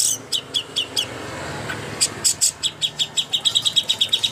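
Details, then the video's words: Song of a greater green leafbird used as contest training material: quick high chirps, a short pause, then a steadily accelerating series of clear ringing notes. "masteran ampuh untuk burung cucak hijau Lomba"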